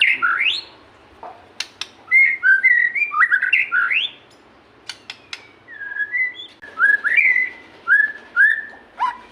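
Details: A white-rumped shama pours out varied whistled notes, upward-sweeping slurs and clear short phrases. The song serves as a trigger to get caged shamas that rarely sing to start singing.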